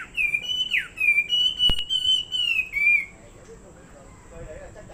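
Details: Fighting Chinese hwamei pours out a loud, clear whistled song for about three seconds, with long sliding notes, a quick dip and steady held tones. A sharp tap cuts in midway, then quiet hiss follows.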